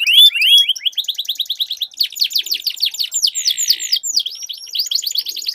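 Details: Canary song duel meant to coax silent canaries into singing: quick trilled runs of repeated notes, a brief buzzy burst, then arching whistled notes, with overlapping singers.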